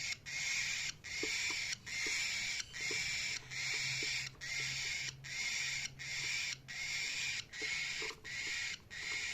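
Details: A cockatiel (Nymphicus hollandicus) gives harsh, raspy chirps in a steady series, a little more than one per second.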